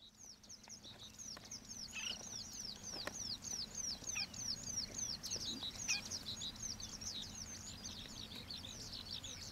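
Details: Juvenile common waxbills, an introduced escaped cage bird, at the wetland by the old iron bridge in Pingtung, Taiwan: a dense, fast stream of thin, high chipping notes, many overlapping, with a low steady hum beneath.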